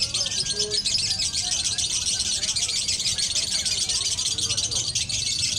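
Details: Lovebird singing in a competition duel, an unbroken, dense, high-pitched chattering trill that runs steadily without pauses, with faint low voices murmuring underneath.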